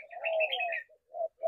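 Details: Spotted dove giving a low hollow coo followed by two short soft coo notes, overlapped at the start by bright twittering chirps from another bird.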